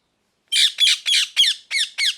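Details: Parrot giving six harsh, squawking calls in quick succession, each a short noisy burst rich in upper harmonics, evenly spaced about a quarter second apart after a brief silence.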